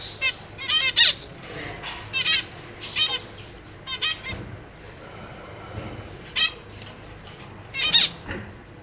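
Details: Zebra finch parents feeding their chicks in a cage, with three juveniles and three fledglings hopping about, 4 May 2023; irregular clumps of nasal, descending, harmonic calls with quieter stretches between.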